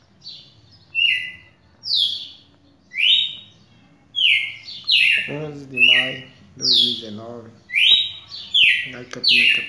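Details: Champion Red-cowled Cardinal singing bright, clear whistled notes that slur downward, about one every second, while a man talks briefly in the middle.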